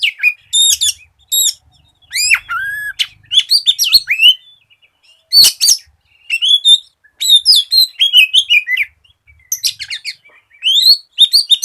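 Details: Lure song of a white-rumped shama meant to make other shamas start singing: fast, varied phrases of sharp chirps, rising and falling whistles and rattling notes, delivered in dense bursts with brief gaps throughout.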